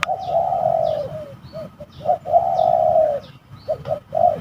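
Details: Spotted dove calling during a fight at a bird-trapping site thought to be eerie; loud, long, grating coos held over a second, alternating with short clipped notes, plus faint high bird chirps behind.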